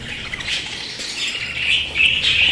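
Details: Pet budgerigars give a rising run of squawking warbles that grows louder toward the end, with thin whistled notes near the close.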